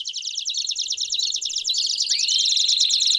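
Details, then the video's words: Several Belgian canaries singing together: dense, rapid high trills rolling continuously, with bright rising whistled slides near the end overlapping the chorus. "Vários Canários Cantando Junto Estimule seu Canário Belga a Cantar Muito!!!"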